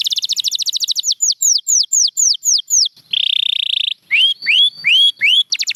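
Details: Champion canary singing for training: a rapid trill gives way to repeated slurred downward whistles, then a steady buzzy rattle for nearly a second, followed by rising upslurred whistles.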